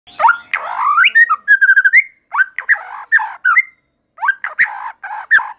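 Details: White-rumped shama (murai batu) in full, lively song that prompts other shamas to sing: varied clear whistled phrases, swooping up and down, with quick stuttered notes and short pauses.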